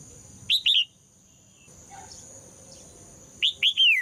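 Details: Red-whiskered bulbul female song, used to provoke males into singing: two bursts of two or three short, bright whistled notes curving down, separated by nearly three seconds of quiet with a steady high hiss.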